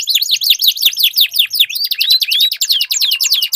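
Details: Canaries dueling in song, meant to spur silent birds to sing: rapid chains of sharp down-slurred chips give way to slower, rising and falling whistled sweeps, with faint clicks beneath.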